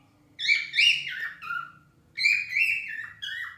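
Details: Cockatiel song from pet birds: two bright whistled phrases about a second and a half each, notes sliding and stepping down in pitch, separated by a short silence, with a soft low hum in the room.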